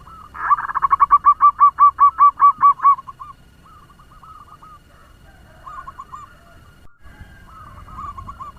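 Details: Local zebra dove kept as a lure, its fast song meant to rouse other doves: about a dozen loud, evenly spaced bubbling coos over two and a half seconds, then softer, broken coo phrases at a distance.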